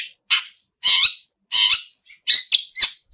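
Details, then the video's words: Long-tailed shrike (pentet) singing vigorously with a song full of borrowed phrases: loose, harsh rasping notes spaced unevenly, with a soft chip between them. "pentet full isian gacorr"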